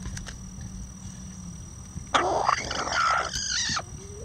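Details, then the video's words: Bantam rooster among hens pecking at hanging vegetables, delivering a loud, raspy, drawn-out crow of nearly two seconds that breaks off abruptly, following quieter clucking and taps. "Bantam Chickens Healthy Treats Relax | Rooster Crowing"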